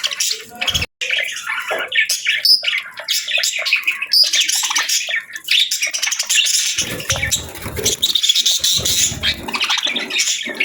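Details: Long run of budgerigar chatter: dense, scratchy warbling and sharp chirps, with a brief silent gap near the start and soft low thuds later.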